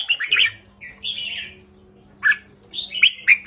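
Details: Red-whiskered bulbul kept in a cage, short simple song in the counted 3-4-5 style meant to excite listening birds; choppy warbles and brief whistled phrases separated by quiet gaps, low electrical hum present.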